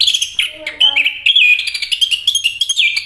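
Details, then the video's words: Rich warbling from a Chestnut-capped thrush, a flowing run of connected whistles wavering at mid pitch with brief harsher notes near the start. "anis kembang bang jago nyanyi"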